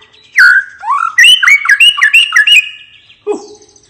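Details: White-rumped shama song used to stimulate other birds to sing: loud whistled phrases with rapid sliding notes and short chirps, ending in a lower harsh note.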